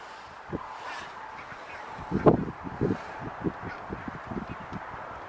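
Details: Large flock of barnacle geese foraging in Zeeland, Netherlands, on 8 February 2022, making a steady chatter of short, overlapping low calls with one louder honk near the middle, over a constant background hiss.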